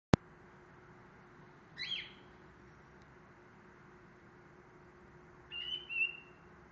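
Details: Cockatiel (Nymphicus hollandicus), call.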